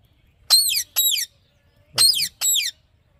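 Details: Alexandrine parakeet calling naturally: four harsh, high, grating squawks in two pairs, each about a third of a second long, with short pauses between and a quiet background.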